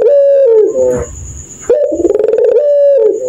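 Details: At night, a puter pelung dove gives a long steady coo that falls away, a short gap with low rumbling, then a quick pulsing rattle leading into another sustained coo, described as laughing like a kuntilanak ghost.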